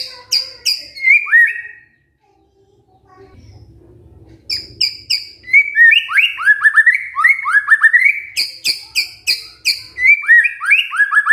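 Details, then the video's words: White-rumped shama song as a lure to provoke singing: opening chips and upslurred whistles, a two-second lull, then a long vigorous stretch of rapid rising whistles mixed with sharp high notes. "PANCINGAN MURAI BATU GACOR"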